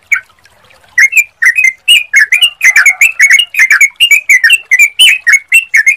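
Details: Sooty-headed bulbul song used as a lure to make other birds answer: after a brief quiet start, a lively string of short bubbly whistled notes, rising and falling, repeated several times a second without pause.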